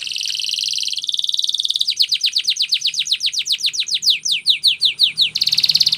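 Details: Canary singing Spanish Timbrado training song: buzzy sustained rolls, then a long run of about twenty rapid descending swept notes slowing toward the end, finishing with a bright buzzy roll.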